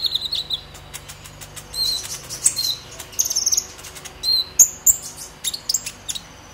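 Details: High, sharp chirps and brief squeaky trills of a purple-throated sunbird in excited 'ngobra emosi' chattering style, played as a lure to get young sunbirds singing; a fledgling just past its spotted stage, still learning sounds.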